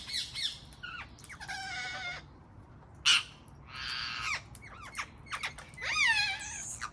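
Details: Garden visit by wild parrots: rasping, buzzy screeches and sharp arched squawks come in separate bursts, some long and grating, one a short loud shriek.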